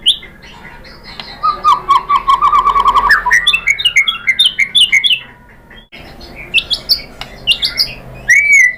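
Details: White-rumped shama (murai batu) singing to provoke rival shamas: a fast trill of repeated notes, then varied chirps and whistles, a short break, and more sharp whistled phrases.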